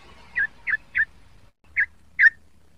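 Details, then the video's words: Young sooty-headed bulbul practising its song, giving five short, clear notes with gaps between them and a pause before the last two, over faint low background hum. "burung trucuk muda belajar bunyi dan ropel"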